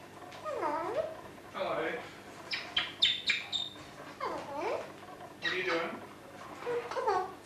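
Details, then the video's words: Captive female red eclectus parrot mimicking a phone ring and speech, with a green male nearby; repeated arched, warbling tonal phrases in quick bursts, some sharp high chirps, indoors. "female eclectus talking and phone ringing"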